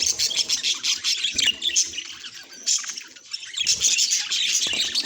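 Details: Budgerigars chattering in a busy, continuous stream of high, scratchy chirps and warbles, with short squawks rising and falling in loudness and a brief lull near the middle.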